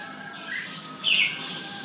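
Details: Red-whiskered bulbul offered for sale. A soft chirp is followed by a louder, bright, warbled phrase lasting about a quarter second, against a constant humming background.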